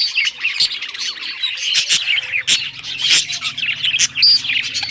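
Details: Budgerigars of rare colour varieties playing with toys, producing rapid chattering chirps and short whistled slurs, interrupted by sharp tapping clicks and a low background rumble.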